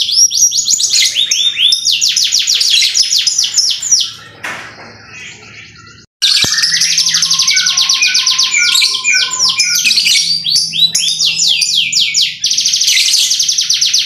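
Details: Canary performing sharp 'tembakan' bursts: long runs of rapid, high rolling trills, a quieter fading stretch midway, a short silence, then the loud trilling resumes and runs to the end.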